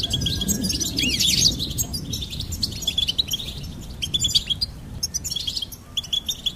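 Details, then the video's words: A goldfinch delivers a loud, dense twittering phrase with rising slurred notes, which settles into steady repeated high chirps. "Goldfinch Singing and Song Compilation"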